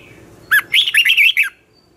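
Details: Red-whiskered bulbul giving its 'giọng xoắn' morning song, used for training young birds to compete: one compact phrase of about six rolling, slurred whistles rising and dipping, then quiet.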